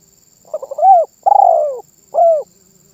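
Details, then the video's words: Spotted dove giving one song phrase of stammered short notes, a swelling coo, a long falling coo and a short last coo, with a soft low hum and a faint high tone in the background. "SUARA BURUNG TERKUKUR MANGGUNG GACOR MEMBUAT BURUNG LAIN IKUTAN BUNYI"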